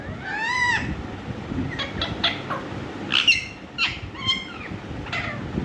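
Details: Indian ringneck parrot talking: a run of bright harmonic, speech-like syllables, starting with falling sweeps, then short sharp notes and rising slurs over a steady hiss.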